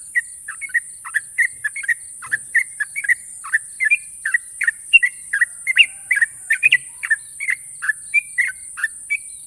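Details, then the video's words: Long ropel song of a national champion Yellow-vented Bulbul, sharp and sustained: dozens of short bubbling whistles in a steady chattering flow for nearly ten seconds, steady high hiss throughout. "burung trucukan juara nasional ropel panjang dan tajam"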